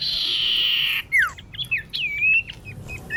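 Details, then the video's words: Female common iora calling a male: a steady buzzy hiss at first, then a sharp falling whistle, short slurred notes, and a long wavering whistle that rises and falls. "Kicau cipoh betina memanggil jantan"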